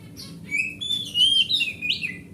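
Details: Oriental magpie-robin from the forest, large-bodied grade A bird, song used to coax a non-singing magpie-robin: clear sustained whistled notes gliding between mid and high pitch, ending in a sharp upward flourish.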